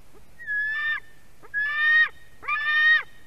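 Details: Screaming white-tailed eagle nestling begging during a fish delivery by its mother, Durbe nest camera, Latvia, August 2020 afternoon; a thin whistled lead-in followed by three strained, buzzy screams spaced about a second apart.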